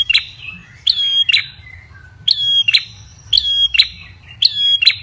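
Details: Ashy tailorbird calling, used to lure birds: crisp high double chirps with ringing whistled tones, repeated about once a second after a brief pause, faint hum behind.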